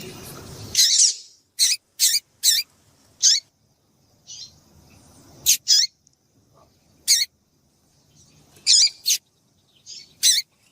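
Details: Female variable seedeater calls meant to excite and set males singing: a series of quick, high, clipped chip notes, some in close pairs, spaced irregularly over quiet background.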